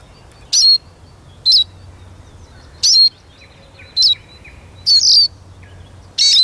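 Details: Eurasian siskin sounding a string of high twittering notes roughly once a second, each a quick whistled slide with a buzzy tail.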